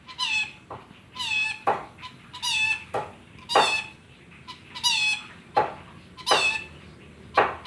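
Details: Chicken-like calls from a rainbow lorikeet: a string of squeaky, nasal clucks, each sliding upward, repeated roughly every second in a small indoor space.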